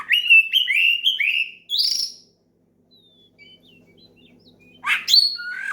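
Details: Oriental magpie-robin singing loudly to call a rival and set other magpie-robins singing: three slurred whistled notes falling in pitch, a higher rising whistle, a pause with faint chirps, then a sharp burst and clear whistle.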